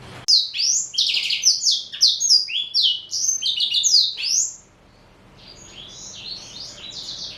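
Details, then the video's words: Male black-throated canary, a four-year-old Somerini x Botswana cross, eats seeds and vegetables, kept caged: rapid high warbling song of slurred descending whistles and chirps for about four and a half seconds, then quieter distant twittering. "Kicau Merdu BLACKTRHOAT SOMBOS Somerini x Bostwana Usia 4 Tahun"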